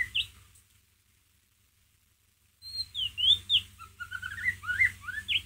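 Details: After a quiet stretch, a white-rumped shama bursts into ngeriwik song used as a lure: fast, tumbling whistled notes sliding up and down, densely packed over a low hum.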